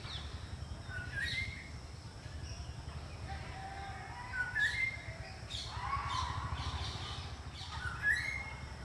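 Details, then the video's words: Greater racket-tailed drongo giving varied, clear whistled notes and short rising calls at irregular intervals, over a steady low rumble of background noise. "Racket Tailed Drongo Call | Greater Racket tailed Drongo Call"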